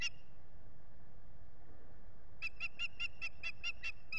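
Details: Food-begging osprey, Finger Lakes, United States, 8 April 2022, recorded by a solar nest camera. After quiet wind noise, a sudden string of about nine shrill, evenly spaced whistled chirps fills the last two seconds.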